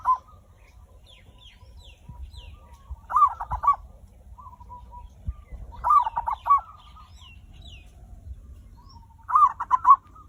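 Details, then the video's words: Zebra dove lure song, played to prompt other birds to sing quickly: three loud bursts of rapid, rolling low coos roughly every three seconds, softer trailing coos between, faint chirps of other birds and a low background rumble. "perkutut raja pikat cocok untuk memancing burung cepat bunyi"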